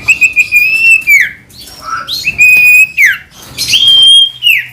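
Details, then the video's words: Sirtu singing vigorously, used to provoke a common iora into singing: three long level whistled notes, each ending in a quick downward slur, with a low sliding note between them. "Sirtu Gacor Dor | Bongkar Isian Cipoh | Buat Emosi Cipo Mandek"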